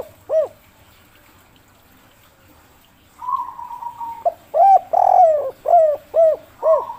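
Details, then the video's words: Zebra dove cooing played as a lure: a single soft coo, a pause, then a long purring trill followed by a run of rhythmic bubbling coos and a final trill. "pancingan burung derkuku kuk 3 putar sebentar saja langsung nyaut"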